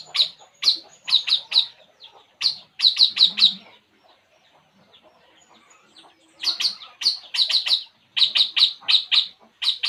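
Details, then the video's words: Puling bird relaxing, uttering rapid series of sharp, high chirps in bursts of three to five, a brief quieter gap midway, then another long run of repeated chirps. "burung puling. Inilah yg dilakukannya saat santay"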